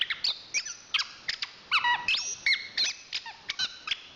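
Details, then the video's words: Chestnut-capped thrush, a national champion songbird, giving squeaky whistles and downward-sliding notes mixed with one long clear high whistle, in an uneven, stop-start rhythm. "Suara Kicauan Burung Anis Kembang Juara Nasional"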